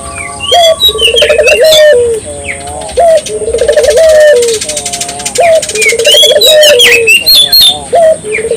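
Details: Barbary dove singing to prompt local doves into song: rolling, slightly tremulous coos repeated about every two to three seconds, mixed with frequent high chirps and squeaks from other birds.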